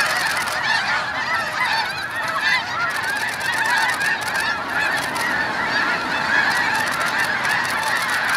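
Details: Early takeoff of a large Snow Goose flock at Hagerman National Wildlife Refuge: a loud, continuous wall of honking from countless birds, steady throughout.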